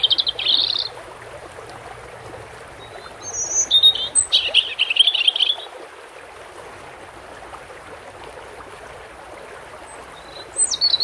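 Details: European robin near water: a short high trill, then after a pause a longer run of thin, sparkling warbled notes, with running water hissing steadily throughout.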